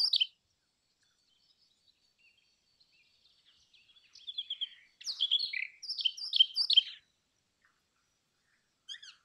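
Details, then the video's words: Indian chat (brown rock chat) singing a jumbled run of high, twittering notes lasting about two seconds after a brief opening chirp and a faint, thin pause, with a short final note at the end. "Brown Rock Chat Call ! Brown Rock Chat Song ! Brown Rock Chat Sounds ! Brown Rock Chat Voice"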